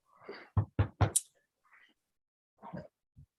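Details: A few dull knocks and thumps indoors, followed by brief murmured voice sounds, with no animal calls.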